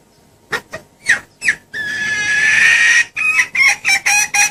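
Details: Female red junglefowl lure call, used to draw males close: a series of short clucking notes, then a sustained harsh screechy note lasting over a second, followed by quick repeated clucks at a steady pace.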